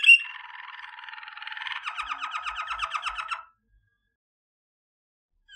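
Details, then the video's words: Waterslager canary song for training, a soft low rattling trill turning into a faster series of downslurred notes, then silence. "Legendary Waterslager Canary Singing For Training - وتر سلاجر"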